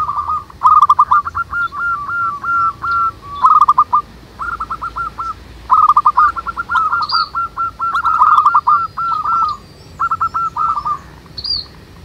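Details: Many local zebra doves singing manggung together outdoors: repeated bursts of quick warbled hooked notes at a steady pitch, separated by short pauses, with occasional higher thin calls from another bird.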